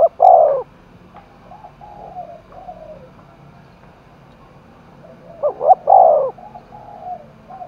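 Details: A spotted dove goaded to fight in the forests of Đồng Nai gives two loud coo phrases several seconds apart. Faint soft coos fill the gap between them.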